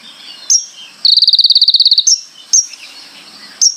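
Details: Konin singing: a single fast, buzzy pulsed trill lasting about a second, framed by short sharp high chips spaced about a second apart.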